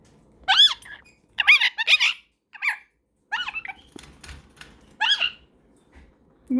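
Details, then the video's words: Pet cockatiel and superb parrot talking to each other indoors before bed; sharp squeaky chirps with rising-falling harmonic sweeps in short bursts, about six calls over several seconds, in a quiet room. "Cockatiel and Superb Parrot's Cute Conversation"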